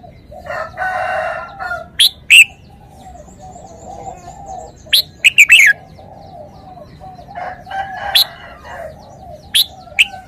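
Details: Red-whiskered bulbul giving scattered, short whistled phrases of two to four notes with long gaps between them. A rougher, buzzy call sounds near the start, and a low background hum continues.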